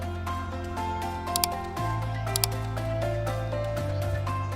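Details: Instrumental music with sustained bass notes, plucked tones and a few sharp clicks, no animal sounds present.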